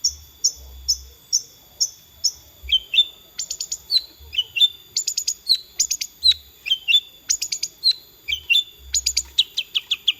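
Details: Long-tailed shrike song: a lively, varied run of high, sharp chirps and short whistled notes, with some repeated in quick clusters and others sliding downward, delivered in irregular phrases.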